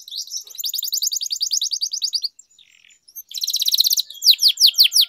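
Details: Canary song used as a tutor for young birds: a long fast buzzy roll, a brief quiet break with soft twitters, another quick roll, then spaced descending whistled slurs.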